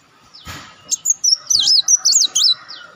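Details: Olive-backed sunbird lure sound: a brief tap, then a quick string of high, twisting, wavering whistled notes, each note short and sharp.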